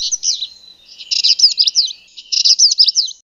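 Purple Indigobird giving high, buzzy, chattering phrases with quick twisting notes, in bursts about a second long separated by brief pauses; no other sounds.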